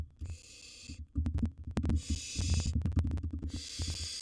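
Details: Baby barn owl, wild, at a monitored nest box with large gerbil prey; three loud hisses of about a second each over busy scraping, tapping and thumping from the owlet moving.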